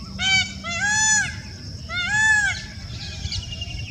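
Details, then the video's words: Indian peafowl giving two loud, nasal, strongly harmonic calls about a second apart, each arching up then down, the first with a doubled note; faint chirping of small birds and low rumbling noise behind. "Super Duper Peacock Voice"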